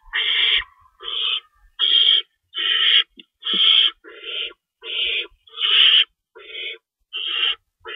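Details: Feeding time at an owl nest before dawn on March 25, 2012, with rabbits brought in and an adult shredding food; rapid run of raspy, noisy screeches, roughly one per second, briefly overlapping a sharp tap.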